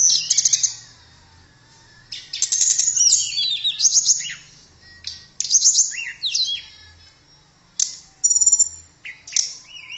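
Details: A blue flycatcher, called tledekan, sings sweet high phrases in separate bursts of rapid chirps, wavering whistles and short trills, with brief silences between and a soft low hum beneath.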